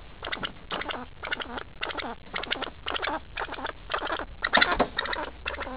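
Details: Angry pheasant reacting to nearby people, giving harsh, buzzy, chattering bursts about half a second long, repeated roughly twice per second with short gaps.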